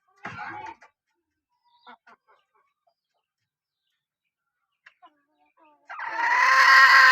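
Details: Female chicken of a line noted for calling: a short rough note at the start, scattered faint clicks, then a loud sustained harsh call held for over a second at the end.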